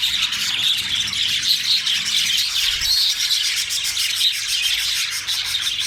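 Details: Male budgerigar giving a continuous warbling chatter of quick chirps and short squawks, steady loudness throughout, other chirping birds possibly mixed in.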